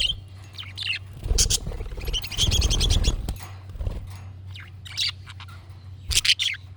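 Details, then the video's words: Budgerigar chattering used to prompt a pet budgie to reply: scattered squeaks and rapid warbling runs, with low rumbling thumps and a steady hum. "MUHABBET KUŞU SESİ Kuşunuz Bu sese Karşılık Verecek Kuş Sesi"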